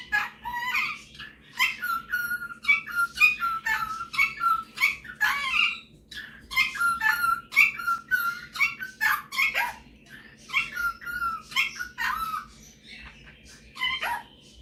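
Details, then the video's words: Male superb parrot kept as a pet, singing and mimicking: long stretches of rapid warbling and chattering with whistled notes and harsh buzzy bits, broken by brief pauses, faint background hum. "Superb Parrot Malibu showing off his singing and mimicking skills"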